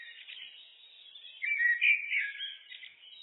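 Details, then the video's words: Common blackbird singing, looped: thin high twittering gives way to a fuller, warbled fluting phrase with sliding notes, then softer squeaky trills. Clean, quiet background. "Blackbird, Turdus merula, birds (looped), SOUND EFFECT"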